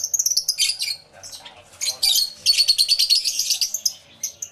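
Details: Many lovebirds in an aviary, recorded live in stereo with a camera and two external microphones: shrill, high chirps in rapid bursts, with a dense chattering run in the second half and short pauses between.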